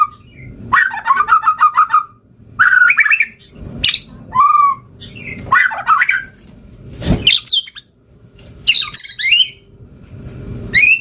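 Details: Fill-packed White-rumped shama song: rattling buzzy trills, fast warbles and sharp high sweeps in bursts, with one burst of broadband noise partway through.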